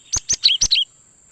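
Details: Cinereous tit lure call for trapping wild birds, its voice loud and clear: five fast, bright chirps within a second, the third and fifth sliding down in pitch, and a steady thin tone in the background.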